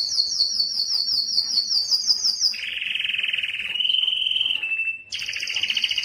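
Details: Aroused canary song meant to prompt mating: a high rattling trill drops into a lower sustained rolling tour, then a clear steady whistle, and a high trill resumes.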